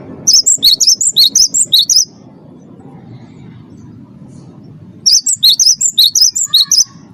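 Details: Song of a captive Cinereous tit, used to coax caged birds into singing: two two-second bursts of rapid, bright alternating whistles separated by a three-second pause filled with low background noise.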